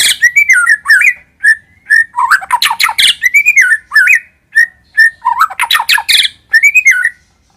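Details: Lure song of a white-rumped shama, built from repeated slurred, wavering whistles mixed with dense, scratchy, buzzy bursts, in short phrases separated by brief silences.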